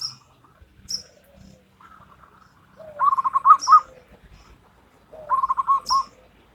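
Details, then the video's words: Wild local zebra dove song in Salendro rhythm: a lower opening note followed by a fast, rolling series of soft coos, repeated twice; high thin chirps of another bird at intervals. "Perkutut Lokal Alam Manggung Gayer Irama Salendro"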